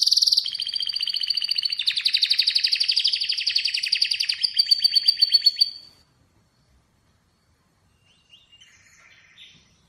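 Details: Atlantic canary delivering a long, dense rolling trill for about six seconds, fading into silence with a faint soft twitter near the end.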